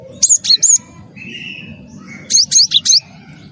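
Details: Cinereous tit of the wingko type, singing constantly as a lure for other birds: a quick triple of high falling whistles, a soft lower tone, then a run of four ringing notes, with faint low hum.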